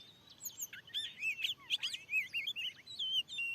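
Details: Fierce wild Oriental magpie-robin answering a lure in a new field, singing quick, sweet whistled phrases with looping up-and-down notes and a few harsh chips packed closely together.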